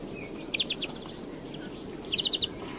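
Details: A European greenfinch heard at moderate distance, giving two short trilled phrases of rapid, bright, evenly spaced notes separated by a pause, over steady background noise.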